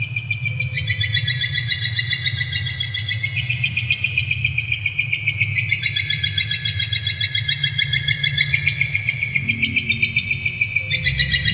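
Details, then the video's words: Brown shrike, a popular kept songbird prized for mimicking other birds, recorded as long-duration training song: rapid, steady run of high, harsh chattering notes, about three to four per second, over a constant low hum. "Masteran Burung Cendet ! Pentet Durasi Panjang Buat Masteran"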